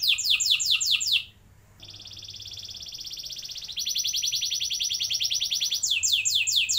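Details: Canary singing to prompt young birds to roll: it opens with quick downslurred notes, pauses briefly, then runs through extended buzzy trills and ends with more sweeping notes.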